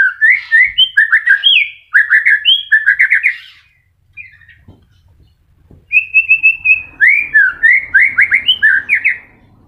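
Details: Caged white-rumped shama beginning its moult, singing rich varied phrases: quick looping whistles and rapid note series, a brief quiet pause, then a flat whistle leading into fast rising slurs.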